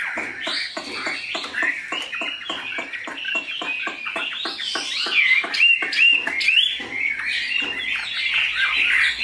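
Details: Caged Chinese hwamei, a tame, large-bodied bird kept as a pet, praised for its fine voice, gives fast varied song phrases over a rapid run of sharp clicking notes, busy and uneven throughout.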